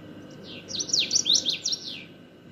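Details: Common waxbill giving a rapid string of high, buzzy, zigzag notes in one short song phrase, rising then dropping repeatedly, with a low electrical-like hum in the background.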